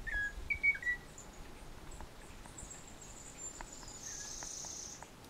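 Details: Munchique wood-wren at La Mesenia reserve, Tatamá–Caramanta biological corridor in western Colombia, gives a few brief, clear whistled notes in the first second, then only faint ticks against a steady high insect hiss.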